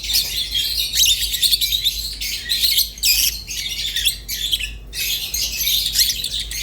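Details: Rosy-faced and Fischer's lovebirds chattering indoors: dense, continuous high twittering and scratchy chirps with brief pauses near three and five seconds, several birds overlapping throughout.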